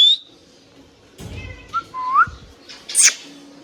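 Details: Hand-tame pet green ringneck parrot indoors: a few clear rising whistles, sliding upward, then a short harsh screech near the end, separated by quiet gaps and faint background hum.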